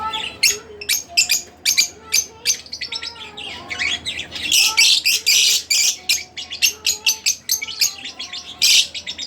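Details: Split-blue Fischer's lovebirds chatter with rapid, shrill, scratchy chirps, several birds overlapping in a busy, near-constant stream of high notes.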